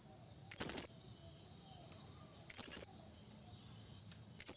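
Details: Lure calling from a blue-crowned hanging parrot: sharp, high-pitched stuttering squeaks repeated about every two seconds, separated by quieter thin whistled tones and a constant shrill hum.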